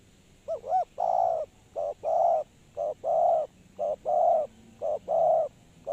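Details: Spotted dove used as a decoy for trapping, giving a steady series of low, hollow coos: a looping hooked note, then alternating short and drawn-out coos, each phrase about a second apart, over faint background hiss.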